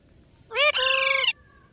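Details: Indian ringneck, a rose-ringed parakeet, in a talking session of "Mithu Mithu": one loud, rich, nasal utterance under a second long, a quick rising note straight into a sustained harsh buzzy tone, against a quiet background.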